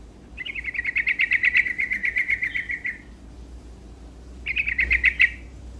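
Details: Sooty-headed bulbul in lively full song, singing to rouse rival birds: a fast, even series of sharp chirping notes runs about two and a half seconds, then after a pause a shorter burst of the same notes.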